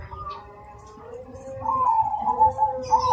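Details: Cemani zebra dove, described as singing rhythmically and loudly. Quiet low notes open, then a stronger rolling trilled coo takes over in the second half, and a brief high chirp comes near the end.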